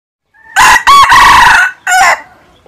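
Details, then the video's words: A red junglefowl gives one proper crow, a clipped, loud, harsh four-part phrase over about a second and a half, with a brief soft note before it. "tiếng gà rừng rặc gáy chuẩn"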